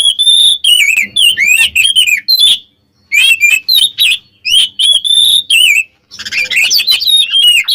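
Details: Oriental magpie-robin (kacer) in full song to provoke rival birds: long, dense runs of loud, fluty whistles and chattering trills, one pause midway, last phrases rougher and more harsh.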